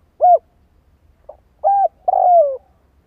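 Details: Spotted dove cooing used as a lure recording: a short arched coo, a pause, then a rising coo and a long drawn-out falling coo, clear and loud over a faint low background hum.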